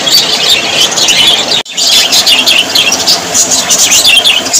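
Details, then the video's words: Budgerigar flock warbling and chirping in high overlapping bursts, cut by one abrupt moment of silence before the dense chatter resumes. "Australian parrots voice ☺️ Parrots very happy 😊"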